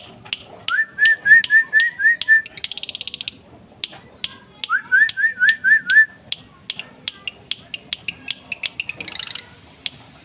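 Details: Asian fairy-bluebird: two phrases of about six quick, rising whistled notes each, separated by bursts of sharp clicking and rattling sounds.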